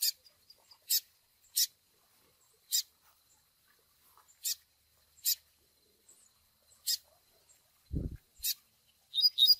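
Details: Double-collared seedeater chick begging call, used to train brown males with Tui Tui Zel Zel song: sharp high chips repeated at uneven gaps, one low thump near the end, then a brief burst of rising squeaks.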